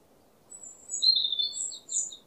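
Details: White-rumped shama song intended to get a stressed, quiet bird singing: a thin high whistle followed by a run of bright, warbling whistled notes.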